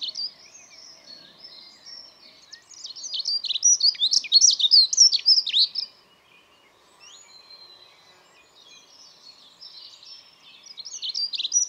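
A Dunnock sings a quick, thin, high warble of about three seconds, then pauses before starting the next jumbled phrase, over faint background hum.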